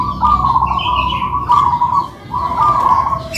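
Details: Local-type zebra doves, two kept birds in a singing duet, give nearly continuous rolling trilled coos, briefly pausing once, with a fainter higher chirp above and a low hum beneath.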